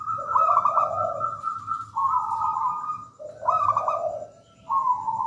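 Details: Local wild perkutut, or zebra dove, singing steadily. Paired rolling phrases repeat roughly every one and a half seconds, a higher vibrating coo over a lower purr, almost continuous.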